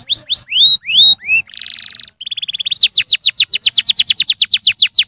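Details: Canary song used to stimulate young canaries to sing: loud descending whistled sweeps repeated about three per second, a buzzy rattling trill, a steady buzz, then a fast run of rapid down-slurred notes.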